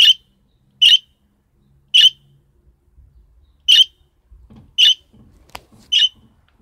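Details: Young budgerigar being accustomed to people, repeating short, harsh, buzzy chirps, six in under seven seconds at uneven intervals, with a sharp click and light indoor movement noises among them.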